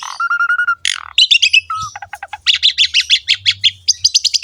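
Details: Javan pied starling singing energetically in ngerek style to prompt other starlings: a level whistled note, a harsh burst, then a long rapid series of bright chattering notes that rise toward the end.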